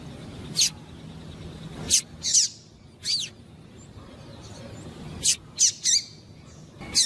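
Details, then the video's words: Calling female double-collared seedeater, used to excite a cold male into song; sharp high chirps and short twittering notes come in loose bursts, some doubled or tripled, with a steady low hum underneath. "fêmea de coleiro piando e chamando muito para esquentar coleiro frio"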